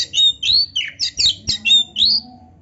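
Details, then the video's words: Kacer (oriental magpie-robin) singing vigorously in the gacor style, full of varied isian phrases, played as master song for training young or quiet birds: fast run of short, sharp whistled and buzzy notes, roughly eight bursts in under three seconds. "kacer gacor full isian MEWAH NARUNG‼️Auto NGOBRA BUKA EKOR"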